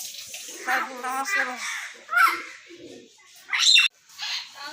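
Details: Talking hill myna mimicking speech: a quick run of voice-like syllables with clear harmonics, then a sharp squawk, a pause, and a high harsh burst near the end.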